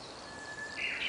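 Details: Red-flanked bluetail recorded in Munakata, Japan, in April 2013: a thin, steady whistled note runs for about half a second, then breaks into a short, bright warbled burst at higher pitch over a constant background hiss.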